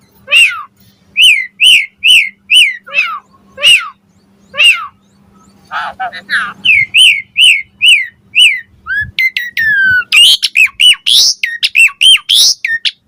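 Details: Asian pied starling singing, used to make other starlings answer: loud whistled notes near 2–3k repeated in a fast series, then harsher buzzy notes and rapid varied whistles and chatter toward the end; faint steady hum beneath.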